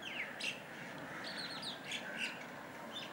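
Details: Indian golden oriole (Oriolus kundoo) at Kalwa, Thane, Maharashtra, India, gives short, harsh, squawky notes mixed with brief clear chirps, several each second, over a steady hiss of background noise.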